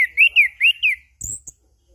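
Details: Chestnut-capped thrush in 'ngeplong' style, played as a lure to set off silent birds, morning, noon and evening: four clear, rising-falling whistled notes in quick succession, then a brief high thin note.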